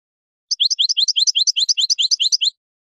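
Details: Teaching song of a European goldfinch in the Parva style, for juveniles: a dense two-second trill of fast repeated rising slurs with tinkling high notes layered above.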